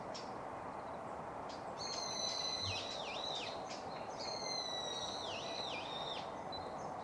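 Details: A male yellow-throated bunting at Gongenyama, 19 March 2016, gives two short, high song phrases a couple of seconds apart: thin sustained notes ending in quick wavering swoops, over a steady hiss.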